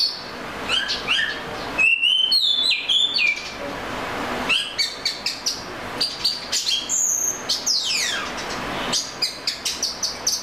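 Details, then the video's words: Oriental magpie-robin melodic song mixing varied whistles, quick chirps and falling trills delivered in rapid runs, against a steady noisy background. "The Melodic Tunes of the Oriental Magpie Robin Bird"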